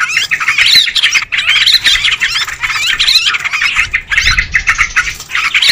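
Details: Sooty-headed bulbuls in a lure recording, chattering noisily without pause, with overlapping harsh, bubbly phrases and squawks, as if several birds are calling together.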